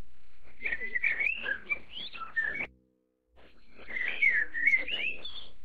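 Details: Chinese blackbird (Turdus mandarinus) begging calls while a chick is being fed: two bursts of squeaky, high whistled and chattering notes, rising and falling quickly, with a brief silent pause between them.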